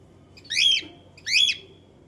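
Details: A cockatiel gives two loud, harsh, rising screeches about three-quarters of a second apart.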